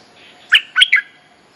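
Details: Short mate-calling phrase from a bulbul, used as a lure for teaching young birds: three quick, slightly harsh chirped notes, the last two run together, over a faint low hum.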